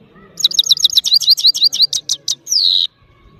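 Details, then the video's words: Saira, the European goldfinch of Parachinar, in strong song: a fast run of about fifteen bright, high, twittering notes, closing with a drawn-out, falling, slightly buzzy note before silence. "gold finch singing saira birds of parachinar powerful singing"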